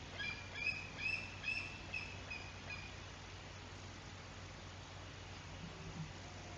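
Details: Bald eagle at its nest in Decorah, Iowa: a quick run of four or five thin, piping whistled notes about every half second, fading after two seconds into steady low hum and outdoor noise.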